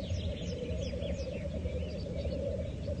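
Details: Black grouse at a lek: a continuous low bubbling chorus forms a steady murmur, with scattered faint higher chirps and whistles from other birds above it.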